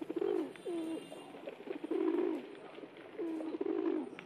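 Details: A pet pigeon that joined a group of wild pigeons in India: low, throaty cooing phrases, each swelling and fading over about half a second, overlapping from several birds; faint chirps in the background.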